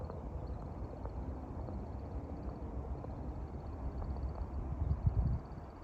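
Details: Displaying American woodcock in spring near dusk, climbing and circling overhead; its wings give a faint, high, continuous twitter in broken stretches, over heavy low background rumble and a few soft knocks near the end.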